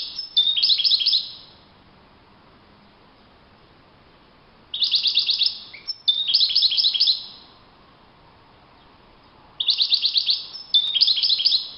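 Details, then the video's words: European goldfinch singing in the wild: three separate bursts of rapid, liquid twittering with quick repeated notes, each lasting one to two seconds, separated by pauses of several seconds. "chant chardonneret le Roi de la nature- Le chardonneret en pleine nature"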